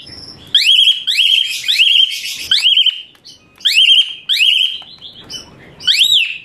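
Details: Asian pied starling training song: loud, piercing rising whistles given in separate bursts, each ending in a sustained shrill note, with short gaps and a faint background murmur.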